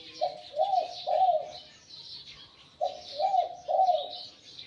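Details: Spotted dove, a wild decoy bird with a medium-to-large voice, gives two phrases of three mellow coos, the last note of each rolling and longest. A pause falls between the phrases while small birds twitter softly.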